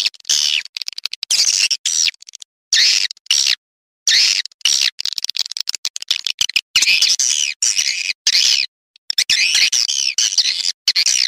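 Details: Swiftlet lure call heard as harsh, rasping chirp bursts of about a second each, broken by sudden silent gaps.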